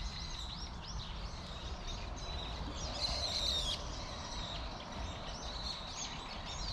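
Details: Chirping from a flock of plump Eurasian tree sparrows in a persimmon tree, rapid sharp notes crowding together, louder and denser around the middle, over distant low noise.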